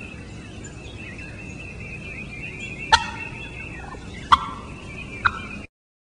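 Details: Three short, sharp turkey putts spaced about a second or more apart, each a quick clipped note over constant background hiss, after a stretch with no calls.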